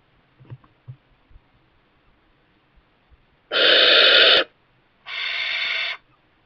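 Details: Young barn owl in a kestrel nest box, parents bringing mice, gives two harsh, breathy hisses, each almost a second long, with a short pause; faint knocks and taps before.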